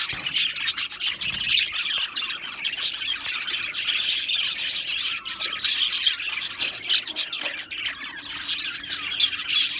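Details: Colony of Australian budgies in an aviary, many birds chirping in a lively overlapping chorus of high tweets, squeaks and short harsh notes over nearly ten seconds.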